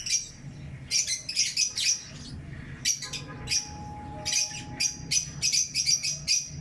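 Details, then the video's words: Morning chirping of lovebirds, pet birds: short clusters of high, scratchy chirps in quick bursts with gaps between, some sharper squawk-like notes; a steady faint tone and low room hum underneath. "MORNING BIRD SINGING AND CHIRPING!"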